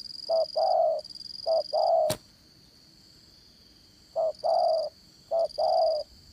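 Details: Trapping decoy spotted dove with a strong voice, giving two short-long coo pairs, a sharp click, a two-second gap, then two more pairs, against a faint high buzz.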